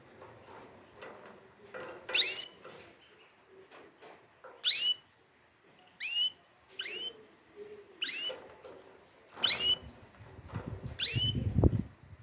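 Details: Canary song of sharp upward-swept whistled notes repeated every second or so over a murky background, with a low rumbling noise rising near the end.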